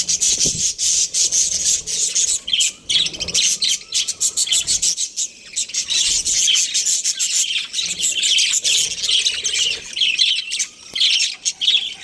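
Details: Breeding budgerigar pair chattering continuously, dense scratchy high-pitched warble with rapid clicking chirps and brief quieter dips, sustained across twelve seconds.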